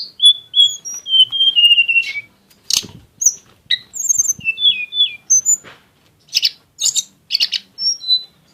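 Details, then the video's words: A tledekan gunung, the mountain flowerpecker, in exotic-style song: a falling series of thin whistled notes, then scattered sharp chips and short twittering phrases separated by brief silences. "kicau tledekan gunung yg punya gaya exsotis dan tembakan yg mewah"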